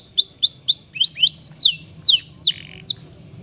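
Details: Male canary singing a lure song meant to stir stressed, silent canaries into singing again: a series of high rising whistled slurs repeated about every quarter second, then longer sweeping notes that fall and rise, with a faint low hum beneath.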